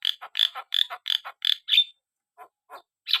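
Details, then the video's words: Vigorous Javan myna song of rapid, rasping chuck notes about four per second, ending in a squeaky whistle, followed by a few quieter harsh calls. "burung jalak kebo gacor"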